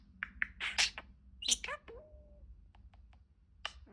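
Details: Talking pet budgerigar indoors producing a jumble of sharp, bright chirps and scratchy bursts, then a level whistled tone, followed by softer scattered ticks and a last chirp over faint room hum.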